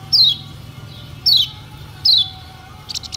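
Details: Lemon-bellied white-eye lure song for provoking quiet birds. Three loud, high, downward-slurred whistles sound about a second apart, followed by a short soft twitter at the end, with a faint hum underneath.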